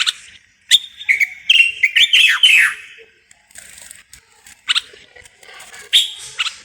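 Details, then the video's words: Moroccan common bulbul delivering a long, bubbling whistled phrase of slurred notes, then quieter scattered chirps and a final brief burst of song. "استرخاء مع تغريد طائر البلبل المغربي صوت صفير البلابل"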